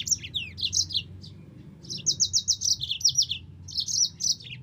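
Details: Yellow-fronted canary singing rapid runs of bright, high chirping notes in quick, repeated phrases, some trilled and some slurred downward, with short pauses between bursts over a faint low hum.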